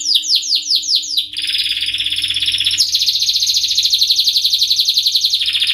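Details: Male canary singing in high excitement: fast repeated descending whistled notes, then a dense buzzy trill held near one pitch, shifting up to a brighter rolling trill and dropping lower at the end; faint steady low hum underneath.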